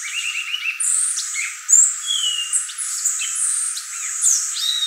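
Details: A violaceous euphonia sings sparse high, thin whistles and drawn-out piping notes, with a short low warble at the start and a few scattered squeaky chips.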